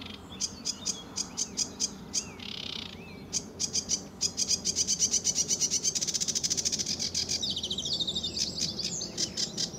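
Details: Lively sedge warbler singing his heart out at RSPB Fowlmere on an early, sunny July 2013 morning: jerky separate notes, a buzzy phrase, then a fast, loud, sustained rattling trill and varied scratchy phrases.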